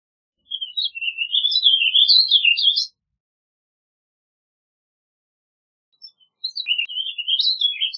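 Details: A warbling vireo gives a choppy, bubbling phrase of rapid high notes for over two seconds, falls silent, then starts another warble at the end.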